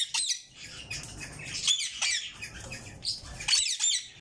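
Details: Caged yellow Indian ringneck parakeet chicks producing rough, grating squawks and scratchy chirps, several overlapping in quick uneven succession, about half a second apart.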